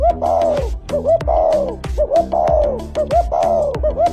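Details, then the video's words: A spotted dove gives soft, mellow coos, each note arching up and falling back, repeated about once a second, over a faint low background hum. "This is a spotted dove. Its call sounds like this."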